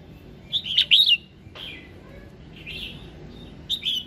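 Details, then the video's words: Morning singing of a red-whiskered bulbul, intended to trigger song: a cluster of loud rich warbled notes early on, a pause of quieter slurred whistles, then a final bright phrase. "Tiếng Kích Giọng Chào Mào Hót Sáng"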